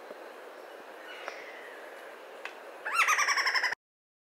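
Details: A Golden-headed quetzal in Ecuador gives a quick burst of about ten rich, slightly falling notes, rattled off in under a second after quiet forest hiss.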